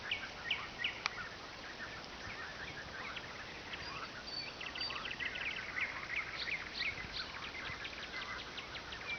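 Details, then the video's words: Nightingale singing at night on the Oka River, loud enough to keep people awake: faint, rapid sequences of sharp chirps, trills and clicking notes, with a few louder whistled notes early, over steady background noise. "Соловьиная песня на Оке"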